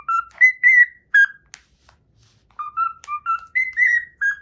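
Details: Cockatiel whistles the Pythagora Switch opening theme it has learned. Pure fluted notes rise to higher held tones, break off into a near-silent gap with a brief click, then the tune restarts with stepped, bouncing phrases.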